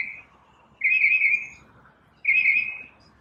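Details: A single bird in the morning gives two rich, warbling whistled phrases about a second and a half apart, each slightly buzzy and fading at the end.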